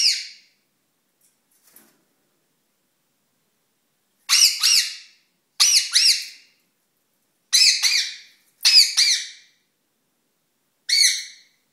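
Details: Courting male rose-ringed parakeet kept as a pet, giving loud harsh screeches, mostly paired double calls in bursts every one to two seconds, with quiet gaps between.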